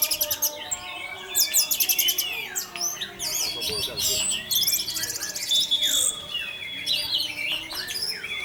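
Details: Teler-style 'Tarantula' song of an orange-headed thrush, meant to tease other thrushes into singing along. Fast, crowded bursts of high buzzy trills, slurred whistles and rattling phrases pour out almost without pause.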